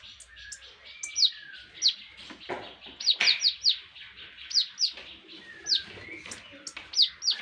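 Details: Javan tesia song made for training songbirds: high, sharp, downward-sweeping notes scattered through, with fainter lower slurred whistles between them.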